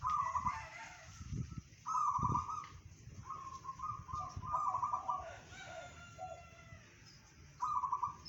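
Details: Bedah karang style song of a local zebra dove, claimed to reach 500 metres: bursts of fast, bubbling, rolled coos, several phrases in a row with pauses between, over low background rumble.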